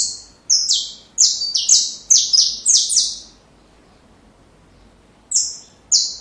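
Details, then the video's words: Saffron finch singing for young birds to learn from: a burst of roughly eight bright, high, slurred notes in three seconds. After a two-second pause come two more separate high notes. "Canário da Terra Canto Perfeito Para filhotes"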